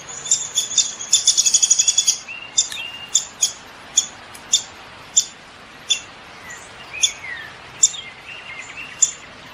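Downy woodpecker giving a quick run of about a dozen high, sharp notes, then single squeaky 'pik' calls spaced roughly every half-second to second; faint chips beneath.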